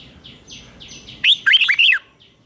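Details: Morning training song of a red-whiskered bulbul, a bird prepared for singing contests: soft distant chirps from other birds, then one loud, rapid phrase of rolling, wavering warbled notes lasting under a second.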